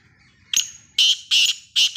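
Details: Black francolin of the Sindhi nasal type giving its harsh, grating call: a short opening note, then three loud rasping bursts about half a second apart, clean and close.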